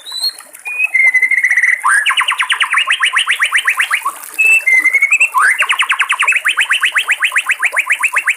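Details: In the wild beside flowing water, a white-rumped shama alternates brief pure whistles with two long bursts of rapid, evenly repeated rising notes, like a fast mechanical trill, loud and steady.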